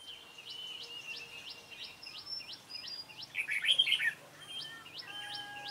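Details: A decoy red-whiskered bulbul used for trapping wild birds, 28 February 2017, gives a loud burst of rich warbling notes midway. It sings over another bird's steady series of thin hooked whistles repeated several times a second.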